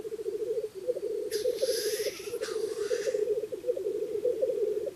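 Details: At a spring lek near dawn, in cold before other birds wake, a black grouse bubbles in a steady, low, dove-like rookoo throughout, broken by one loud sneezing hiss midway.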